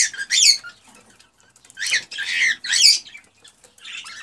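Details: Male cockatiel's excited mating song, used to get a female to breed: three loud harsh, buzzy squawk bursts separated by short quiet gaps, then a softer raspy chatter to finish.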